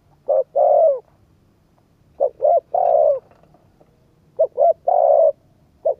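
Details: Cooing of a spotted dove played to stir up a decoy bird: soft, low phrases of two or three short notes and one drawn-out coo that slides downward, repeated about every two seconds over quiet background.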